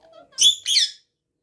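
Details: Bengali-speaking pet parrot gives two short, grating squawks about a quarter second apart, rough and noisy, after a faint low murmur, then silence.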